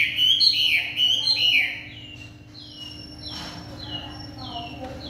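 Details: Chinese hwamei singing in the evening: a loud, vigorous burst of warbling slurs, followed by quieter, clear descending whistles repeated about once a second.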